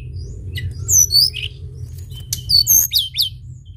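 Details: Sunda bush warbler singing eagerly, used as a lure: two phrases of high, sweet downslurred whistles and chirps, separated by a thin whistled note, against a low rumbling background.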